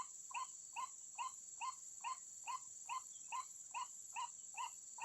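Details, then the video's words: Trapping lure of the white-breasted waterhen: evenly spaced, clipped hollow notes repeating a little over twice per second, each note bending slightly upward, against a continuous high-pitched hiss. "Burung Pikat Ruak Ruak"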